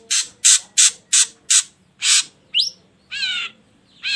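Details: Ashy drongo heard as a lure: a run of six evenly spaced harsh, scratchy notes, then a swooping whistle and a wavering nasal note with stacked harmonics.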